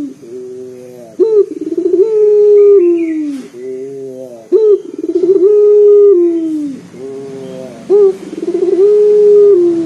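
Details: A local Barbary dove coos loudly and bassily, the call used to lure other doves into calling. Three phrases follow closely, each a sharp opening note, a rapid fluttering ripple and a long low hoot that drops at its end.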